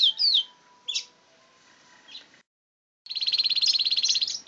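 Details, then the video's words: Pet canary singing, a few high sweeping notes, then after a pause a long fast high trill. "My best canary singing his heart out."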